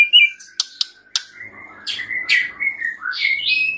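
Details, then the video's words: White-rumped shama song recorded as a training master with fill-in phrases: a thin steady whistle broken by three sharp snaps, then varied chirping whistles climbing to high notes. "Masteran murai batu full isian suara jernih || Pancingan kicau murai batu agar gacor"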